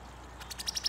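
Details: A female Brown-headed Cowbird calls in a backyard in summer: a quick dry chatter of about ten harsh, high clicks a second that builds in loudness over a faint background hiss.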